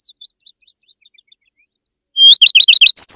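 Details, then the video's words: Singing common redstart: soft high whistles slipping downward, then after a gap a bright, fast burst of repeated twittering notes ending in a higher flourish, in a clean recording. "صوت الحميراء الشائعة(حمرية) || Common Redstart Sound"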